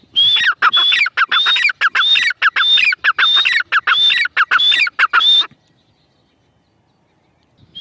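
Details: Grey francolin (teetar) calling: a fast run of harsh, clipped notes, each phrase topped by a high thin whistle, repeating about every half second for five seconds before the recording falls silent.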